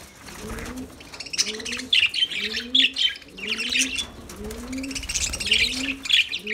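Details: Lovebird song of scratchy, high chirps that swell in bursts. Arched cooing notes from doves recur every half second or so.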